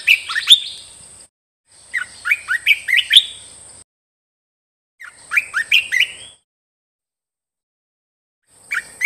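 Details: Caged red-whiskered bulbul singing, used to train other cage birds: four separate phrases of bright, bouncy whistles with short upward slurs, set apart by brief silences, with a constant high-pitched hiss behind.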